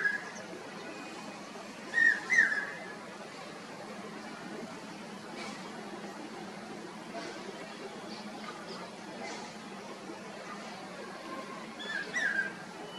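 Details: A pigeon-sized common hawk-cuckoo perched on a tree near a rooftop in Green Park, North 24 Parganas, West Bengal, gives two short bursts of clear, whistled notes about ten seconds apart over a steady background hiss.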